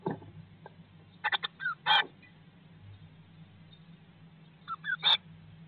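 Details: A Eurasian blue tit in a nest box in May 2022, after the eggs began hatching on 19 May, makes brief, scratchy bursts of quick notes in two clusters a few seconds apart, over a steady low electrical hum.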